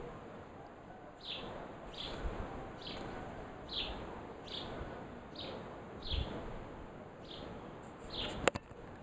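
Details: In the morning a bird repeats short, sharp, downward-slurred chirps about once a second, evenly spaced, with a brief loud click near the end.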